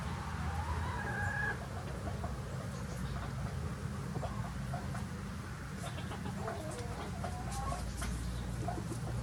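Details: Chickens of several breeds free ranging on a farm in sunny weather: a wavering squawk opens the recording, followed by quiet clucks and clicks over a constant low rumble.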